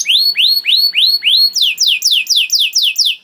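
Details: Master song for young canaries: a canary repeats rising whistled slurs about three times a second, then switches to rapid falling sweeping notes at a higher pitch.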